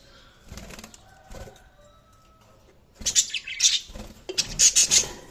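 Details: Budgerigars chirping: a quiet start with soft rustling, then from about three seconds a burst of high, bright chirps and short sharp warbles, repeated in quick clusters.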